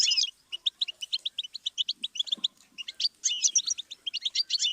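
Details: Goldfinch song for teaching young birds: a buzzy start, then a series of evenly spaced, high clipped chirps, ending in a denser liquid twitter with rolling trills.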